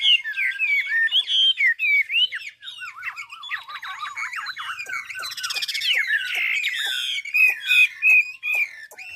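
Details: Chinese hwamei of Ha Giang, Vietnam, in natural song used to coach other birds: a long, fluent stream of rolling, trilled and wavering whistles, with quick clicking notes toward the end.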